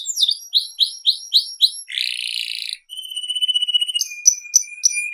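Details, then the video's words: Canary singing varied tours: repeated downslurred whistles, a harsh buzzy burst, a long even rolling trill, then sharp high chips over a steady tone. "BURUNG KENARI SERI FI GACOR"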